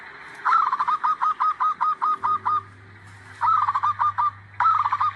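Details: Zebra dove singing loudly, its song used as a lure for trapping: a long run of about ten rapid, repeated cooing notes, then two shorter phrases, with a steady low hum in the background.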